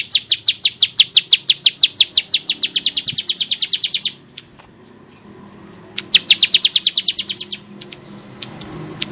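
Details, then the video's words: Rough-voiced Bar-winged prinia singing. Quick, high, metallic chips run for about four seconds, fading slightly. After a quiet gap a shorter burst follows, then scattered single notes. "Ciblek Sawah Gacor Suara Kasar Mantab Untuk Masteran"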